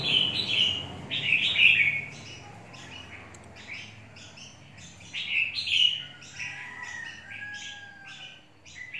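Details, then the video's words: Red-whiskered bulbul ('mộc' bird), fired up in its cage, opening with loud warbled phrases followed by a run of fainter rapid chirps, with a low murmur of background noise. "Chào mào mộc VIP"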